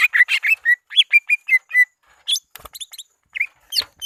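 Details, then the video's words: Greater green leafbird calling rivals for luring: several loud chirps and short level whistles at first, then sparse high sharp notes and a faint flutter. "Suara Asli pikat CUCAG IJO BIG memanggil lawan"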